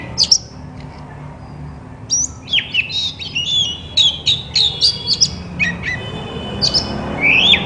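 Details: White-rumped shama singing to prompt other shamas into song; a sharp opening note, a quiet gap, then a quick flowing series of whistles and chips ending in a rising slur.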